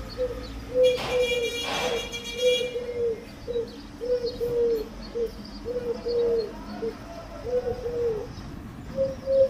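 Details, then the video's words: Repeated low pigeon coos run through the whole stretch, broken early by two short bursts of broadband noise. "Pigeon sound"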